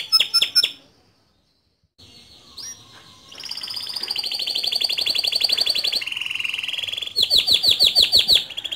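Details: Male canary in full song, a tutor voice for young canaries: brief chips, a silent pause, then long fast buzzy trills shifting in pitch, ending in loud rapid repeated notes.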